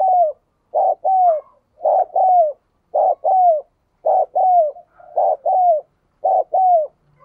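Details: Decoy spotted dove repeating its coo to incite a newly caught dove to coo: steady series of low, soft two-note phrases, a short note then a longer downward-curving coo, roughly once per second, very regular.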